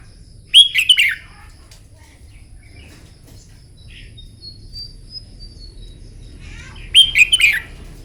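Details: Red-whiskered bulbul trained for contest singing on a morning: two quick, loud phrases of rich slurred whistles about six seconds apart, with soft faint notes in between.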